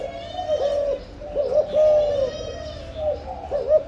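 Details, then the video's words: Breeding spotted dove giving 'âm lối' style cooing: soft, hollow, low-pitched coos in short repeated phrases, steady and clear against a quiet background. "Chim cu gáy sinh sản, cu gáy âm lối"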